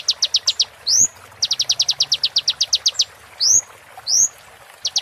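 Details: High rapid note series from a kolibri ninja sunbird, used as training material during moult: quick sharp chips in runs, each run punctuated by loud rising whistled sweeps, in roll tembak style.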